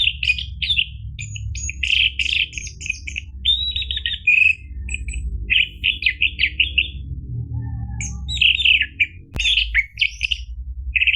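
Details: Orange-headed thrush song played as a lure to make a caged bird start singing: varied whistled and chattering phrases, rapid and mostly high, in loose bursts with short pauses, over a low steady hum.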